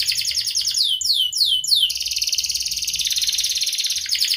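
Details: Canary in full song, meant to prompt silent canaries to sing: a run of sharp descending 'cuit' sweeps repeated about four times a second, then a long, even, buzzy rolling trill.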